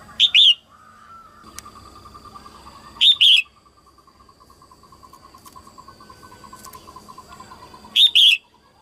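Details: Early-season singing by a female red-whiskered bulbul meant to stir males; three loud two-note whistled bursts, with a steady pulsing insect-like trill running between them.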